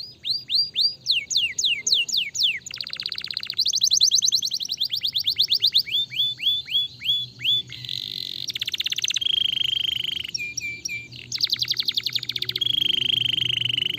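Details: Canary song intended to set other canaries singing: alternating bursts of downward-sliding whistles and long buzzy rattling trills at varied pitches, repeated over several phrases.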